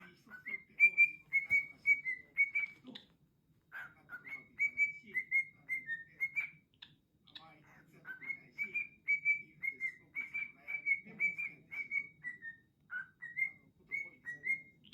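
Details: A pet cockatiel whistles "If You're Happy and You Know It" in clear repeated phrases, quite off-key.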